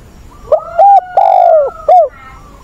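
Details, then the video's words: Decoy spotted dove, a caged bird used to train young doves, recorded 20 August, calling in the 'giọng bổi' voice style: four mellow coos, a short note, a longer one, a drawn-out middle coo, then a short final note, loud and clear over faint background hiss. "Chim cu mồi giọng bổi ức chế"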